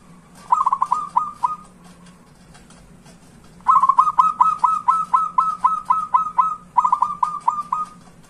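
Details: Zebra dove song played to prompt quiet, silent doves to start singing: bursts of rapid, repeated bubbling coos near one pitch, each phrase a quick series of five to nine notes, with pauses between phrases and steady low hum behind.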